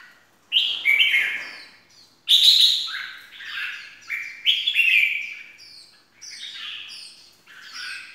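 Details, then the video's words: Lure recording of a red-whiskered bulbul singing 'ché' style: loud, chirpy whistled phrases in rapid groups, several strong bursts about every second, with short gaps of quiet between them. "kích chào mào ché"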